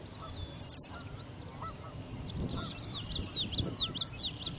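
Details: Henslow's sparrow singing in Goose Lake Prairie: one short, high, hiccup-like two-part phrase near the start, with faint twittering of other birds and soft low background noise.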